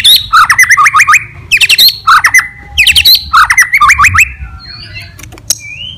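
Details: White-rumped shama's aggressive fighter song to provoke rivals: a bold phrase of rising, buzzy stepped notes mixed with sharp high clicks, repeated four times about a second apart, then softer scratchy warbles.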